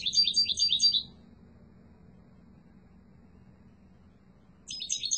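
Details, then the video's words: Yellow mutation European goldfinch giving strong song in two short bursts of rapid, high, buzzy twittering about a second long, separated by nearly four seconds of quiet with a low background hum. "تغريد قوي و جميل🐦 لطفرة الحسون الاصفر"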